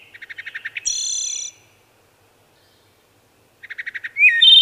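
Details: Singing wood thrush gives a run of short, evenly spaced soft notes followed by a bright, high, buzzy flourish, then after a pause repeats the quick low notes leading into a rising fluted whistle.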